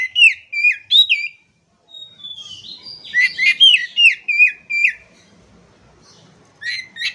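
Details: Oriental magpie-robin giving a lively song, meant to get silent, stressed magpie-robins singing again: fast series of downward-slurred whistles and twangy notes in repeated patterns, with a short pause mid-way and a quieter ending.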